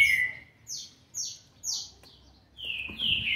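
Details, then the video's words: Green-winged saltator youngster aged seven months and twenty days sings a run of short clear whistles, each falling in pitch, spaced about half a second apart, then ends with two longer, lower slurred notes; recorded 13 November 2020. "trinca ferro ( BRABO ) FILHOTE DE SETE MESES E 20 DIAS JÁ MOSTRANDO SUA GENÉTICA"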